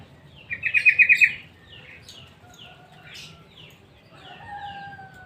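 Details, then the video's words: Sooty-headed bulbul in a mini aviary gives a rapid run of about seven sharp, chattering notes. Soft chirps follow, then long, smooth, slightly falling whistled tones near the end. "Aviari mini burung 🐦 kutilang"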